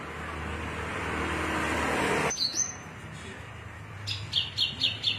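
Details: Javan bush lark, Cilacap type, cing ciu song: loud rushing noise for the first half, then it clears to sharp high chirps, ending in four evenly spaced bright notes.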